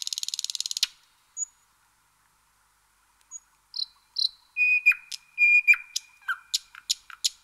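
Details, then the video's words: Common nightingale song opens with a fast, dry buzzing rattle, then thin high whistles, a long steady pure note, and sharp, rapid down-slurred chips. "Nightingale Sounds"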